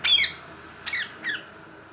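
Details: A green rose-ringed (ringneck) parakeet, a pet talking parrot, gives three harsh, high, squawky bursts, one strong and two softer, within two seconds in a quiet room.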